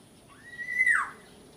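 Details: Small local oriole giving one smooth whistled note that rises gently, holds, then drops sharply at the end, with faint background hiss.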